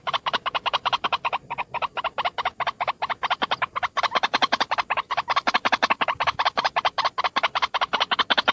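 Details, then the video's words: White-breasted waterhen, a single bird, giving a lure call: a steady, fast stream of harsh, nasal croaking notes, roughly two or three per second, continuing without a break. "SUARA PIKAT BURUNG RUAK RUAK TUNGGAL// PANCINGAN BURUNG RUAK RUAK"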